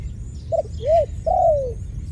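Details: Dove from a ground-dove trapping scene: a three-part coo, a short clipped note, then an arched hooting note and a long drawn-out coo sliding downward, over a low rumbling background.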